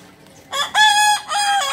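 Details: Short, loud crow of a Kukuak Balenggek chicken, native to Solok in West Sumatra: three strong harmonic bursts, the middle one longest and level, each separated by a brief break.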